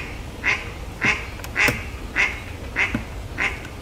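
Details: Mallard quacks in a regular series of six, one every 0.6 seconds, loud, nasal and harsh, the pattern written as ゲッ ゲッ ゲッ, over low background noise.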